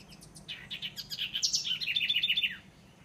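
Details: House wren (Troglodytes aedon) in tropical trees of Costa Rica: a quick, bubbling burst of high notes, rapid chattering phrases that tumble and drop in pitch over about two seconds against a quiet background.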